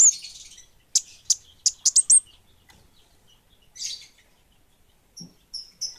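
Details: Energetic song of an orange-headed thrush, called kemade bunga api: a quick cluster of sharp, high whistled notes, then a scratchy phrase and sparse thin high whistles with long gaps.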